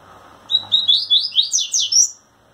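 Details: Courting a female, a caged brown-plumaged double-collared seedeater trembles its wings and delivers a quick run of sharp, sweeping whistled notes that climb higher through the phrase, roughly seven notes in a second and a half.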